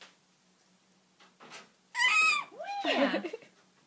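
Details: Excited Goffin's cockatoo gives two loud, tonal squeals: a rising-then-falling cry, then a wavering, dropping one. Quiet human speech is heard before and after.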